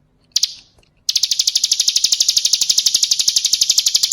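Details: Female Bar-winged Prinia calling to the male, used as a lure to prompt singing. After a brief opening note comes a fast, steady series of high, sharp ticking notes, about four per second, continuing unbroken.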